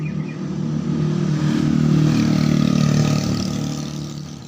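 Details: Loud engine revving of a passing vehicle, a deep rhythmic motor drone rising and fading, with no animal calls.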